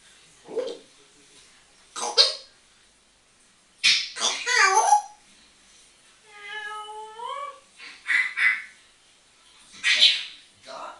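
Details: Pet African grey parrot talking and whistling: scattered breathy speech-like bursts, then a clear, steady whistled tone with rich harmonics lasting over a second, followed by more chattering.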